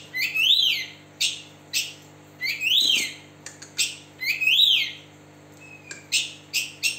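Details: White-rumped shama with tail spread, kept as a lure to prompt silent birds to sing: repeated loud rising-and-falling whistles alternating with short harsh rasping bursts, with brief pauses between phrases.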